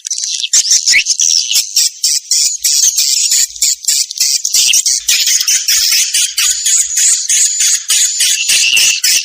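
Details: Mating call of swiftlets, combined into a lure to draw the birds in: continuous shrill, buzzy chattering with many overlapping high chirps and almost no pauses.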